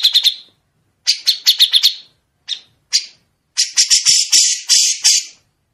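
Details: Grey-cheeked bulbul with long, sharp, clear rasping phrases, used as material for other songbirds to copy. Brief trills and scattered harsh notes lead into a sustained, broad, grating chatter lasting nearly two seconds.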